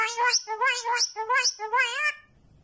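A myna mimics a voice: four drawn-out, nasal, speech-like syllables, each about half a second, with slight rising and falling inflections, then quiet.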